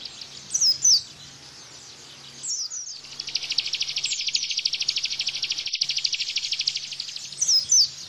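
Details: Bar-winged prinia, 'tembakan' Bren-style song for tutoring caged white-eyes: scattered sharp whistled slurs, then a sustained, very fast, buzzy trill of high notes for several seconds, ending with another whistled phrase.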